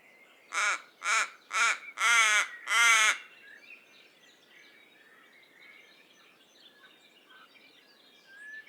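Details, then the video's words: Five harsh raven calls in quick succession over three seconds, growing louder and longer, then only soft outdoor background with faint distant bird chirps. "Raven Sound | Mysterious Calls of One of Nature’s Smartest Birds"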